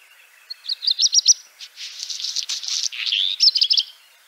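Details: Black redstart phrase with quick high twittering notes, a dry crackling, buzzy middle section, and closing rapid high chips.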